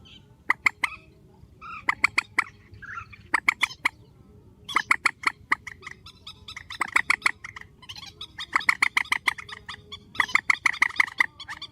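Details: Grey-headed swamphen calling strongly in an edited, spliced recording: rapid runs of hard, clucking notes, some groups longer and denser toward the end, with brief quiet gaps and a soft background hum.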